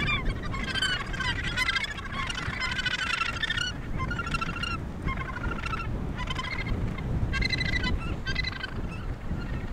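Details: Australasian gannets calling at a breeding colony near Portland, Victoria, Australia. Repeated bursts of coarse, nasal croaking come from many birds, with persistent wind rumble underneath.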